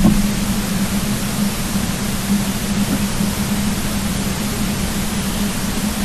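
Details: Steady loud broadband hiss with a low constant hum and no animal voice.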